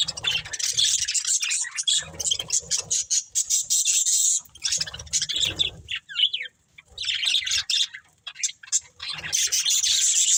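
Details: Pet budgerigars in a breeding pair chirp and squawk: bursts of rapid high chattering and scratchy squawks separated by short quiet gaps, ending in steady bright warbling.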